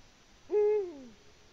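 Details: Single hoot of a Eurasian eagle-owl at its nest in Latvia, 14 February 2020, a clean low note held briefly before a gradual downward slide and soft fade.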